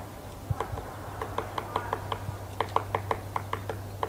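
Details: Woodpecker striking wood with hollow, ringing knocks, four to five per second, in bursts separated by brief pauses, over a low background hum.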